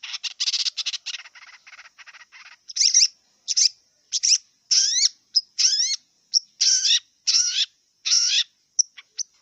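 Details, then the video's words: Wild long-tailed shrike giving a varied song: a buzzy rattling series at first, then loud harsh notes with rising and sliding harmonic whistles, spaced about half a second apart, faint steady high tone behind. "Kicau cendet liar"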